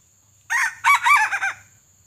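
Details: Red junglefowl, a pale-feathered, white-legged bird, crowing as a decoy to lure wild junglefowl during trapping: a short opening note, a brief pause, then a loud broken crow of several rising-and-falling syllables lasting about one second, in a quiet setting.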